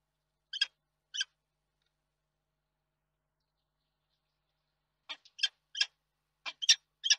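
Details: A male peregrine falcon at a nest in Reda, Poland, on 31 March 2022 gives short, harsh, rasping notes to his mate before flying off: two spaced calls, a pause of several seconds, then a quicker burst of about six.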